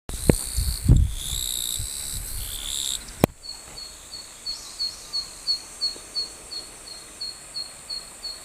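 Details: Zitting cisticola calling in summer rice paddies, even under blazing sun: sharp, high, clicking 'zit' notes repeated steadily about three times a second, following a few seconds of low thumps and rustling handling noise.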